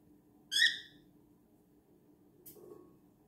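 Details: A cockatiel gives one loud, harsh, slightly falling call over a low indoor hum, as one cockatiel contests another's perch.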